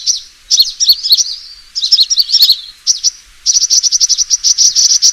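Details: Sunbird fighting call used as a lure: jumbled high twittering phrases with short pauses, ending in a rapid, regular run of sharp ticking chirps.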